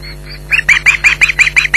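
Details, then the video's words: Ospreys at a Loch Garten nest, July 2011, shouting at an intruder: a fast series of sharp, high, strident yelps, roughly five per second, steady hum beneath. "Intruder Alert"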